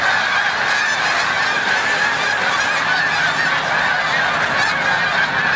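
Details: On March 7, 2022, at Montezuma, New York, migrating snow geese call together as the flock takes flight; a loud, even roar of nasal honks continues for the whole stretch.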